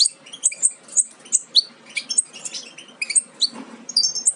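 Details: Nestling European goldfinches close to fledging, offspring of a Major carrying aminet crossed with an ancestral Parva; scattered sharp high tweets and squeaky notes in irregular bursts, with a faint low rustle in the background.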